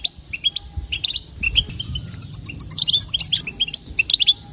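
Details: Female European goldfinch calls, the btabta played to set males singing nonstop: dense, liquid twittering of short high notes, growing busier and more rapid toward the end.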